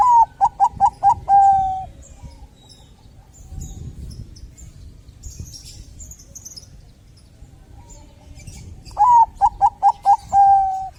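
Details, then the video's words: Bangkok zebra dove singing to spur other doves to call: two phrases about seven seconds apart, each a series of short rapid coos ending in a long steady coo, with low rumbling noise in between. "suara perkutut Bangkok gacor untuk pancingan cepat bunyi"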